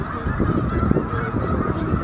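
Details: Huge flock of about 100,000 snow geese at Middle Creek wildlife refuge during spring migration north to breeding grounds, a dense, continuous roar of overlapping honks with no pauses.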